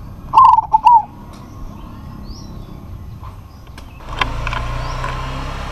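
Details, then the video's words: Local zebra dove calling to challenge a rival: one short fluted warbling coo phrase at the start, then quiet, followed by rising broadband rumble like passing traffic. "PERKUTUT LOKAL GACOR MEMANGGIL LAWAN PASTI NYAUT"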